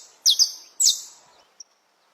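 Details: Wild saffron finch at dawn giving its alvorada song: two high, bright doubled notes sliding downward, then a faint, short, thin note after a pause.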